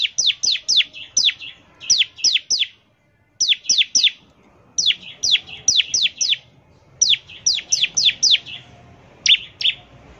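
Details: Song of a bar-winged prinia, played to prompt other prinias to sing: sharp, downslurred whistled notes repeated in quick runs of three to five, with brief pauses and a faint background hum.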